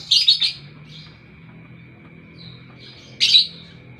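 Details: A lovebird's morning chirping: a double burst of rasping, buzzy notes, a quiet gap with soft twitters, then another harsh chirp burst, with a thin steady whine underneath.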